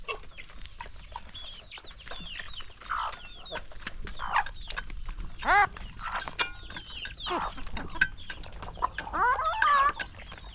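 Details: Hungry farm chickens crowd in for their first meal of the day on a calm countryside morning. Scattered clucks build into loud, rising squawks and drawn-out cackles, with several birds calling at once.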